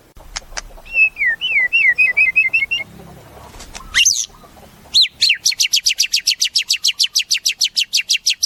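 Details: Caged white-rumped shama with a descending series of whistled notes, a loud upslur, then a long fast run of repeated high chips, about three per second.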